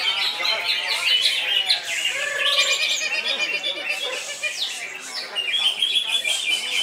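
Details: Greater green leafbird song, loud and continuous: a rich, varied stream of fast whistles, chattering trills and sweeping notes, densely layered with no pauses.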